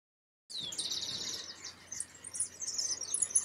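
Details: European goldfinch beginning to sing as its season approaches: after a half-second of silence, a quick, high, tinkling twitter of short chirps and trills, bright and varied, continuing without pause to the end.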